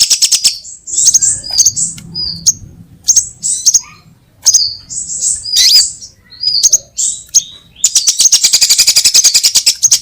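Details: Sunbird calls used as a trapping lure for every sunbird type: scattered sharp, high chirps and quick downslurred whistles separated by short pauses, closing with a rapid buzzy chatter over faint low rumbling.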